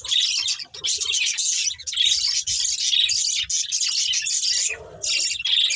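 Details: Colourful budgerigars from a breeding pair in a family flock, chattering nonstop with dense, scratchy warbles and chirps. A brief lull comes near the end before the busy chatter resumes.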